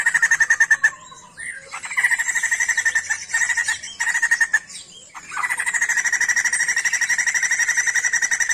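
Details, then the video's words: Sijambul songbird in energetic full song, Indonesian songbird-keeping context: long bursts of fast, regularly pulsed chattering trills at a steady pitch, broken by short gaps and a few squeaky notes, then a sustained rapid trill to the end. "SIJAMBUL GACOR"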